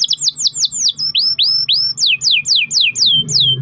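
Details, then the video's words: Domestic canary singing a long-roll song, used as a lure to prompt other canaries to sing: a rapid series of loud, descending whistled sweeps repeated about three to four times a second, with faint low hum beneath. "kenari gacor ROL PANJANG buat pancingan kenari agar bunyi"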